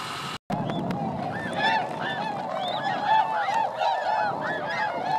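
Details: Wintering swans, 905 counted, flying above paddies at Motono, Inzai, Chiba, Japan, in December 2014; a loud flock chorus of bugling, slightly rising and falling honks, overlapping constantly, after a brief cut at the start.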